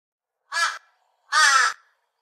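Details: Torresian crow giving two harsh, nasal caws. The second caw is longer than the first, and the two are separated by a short pause. No other sounds are heard.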